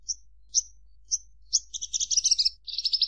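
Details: Javan bush lark opening with three spaced high chirps, then accelerating into a rapid, rattling chatter of mixed notes; steady low hum behind.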